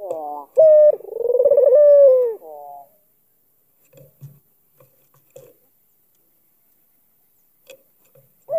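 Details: Albino Barbary dove with a black collar, Kalimantan, gives one coo to lure a rival: quick accented note, rolling pulses and a falling tail, followed by near silence with scattered soft taps and a new note starting at the end.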